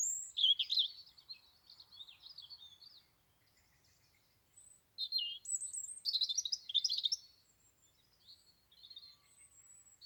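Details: European robin singing in Dartington among other local birds: thin, high, liquid warbling phrases of tumbling notes with short pauses between bursts; the background is quiet.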